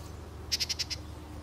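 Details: Yellow-breasted chat at Beech Hill Preserve, Rockport, Maine, 9 June: a quick series of five dry, clicking notes evenly spaced, with low rumbling background noise.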